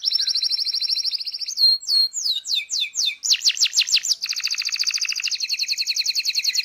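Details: Local canary song from a training recording: a fast pulsed trill, then varied down-sweeping whistles and rapid steep notes, and a long rattling trill repeated about three times per second.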